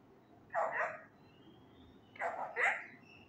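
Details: Male Indian ringneck parakeet trying loudly to learn Urdu words and phrases; two short bursts of garbled, speech-like syllables, each about half a second long and spaced under two seconds apart, over a quiet background.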